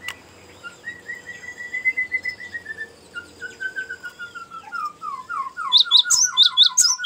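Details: Rolling ngerol song of a Cinereous tit for luring and tutoring birds: a long chain of soft even whistles, a falling series of quicker slurred notes, then loud high chirps at the end.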